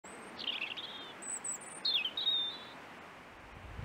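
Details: Robin singing in forest during a hike: thin, high, slurred warbling phrases, a short trill then a descending, twittering strophe, with very faint high notes between phrases and quiet background.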